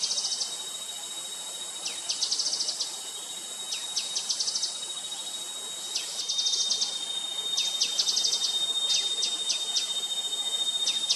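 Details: Grey-headed canary-flycatcher calling: high thin rapid trills of short ticking notes in bursts, with a steady high insect whine throughout.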